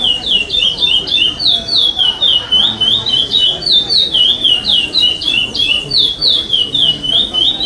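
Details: Chestnut-bellied seed finch singing the pardo song without repetition at a 2021 state singing competition, eighth stage, where it placed fifth: rapid, continuous chains of sharp, slurred whistled notes, phrases tumbling over one another with a faint murmur beneath.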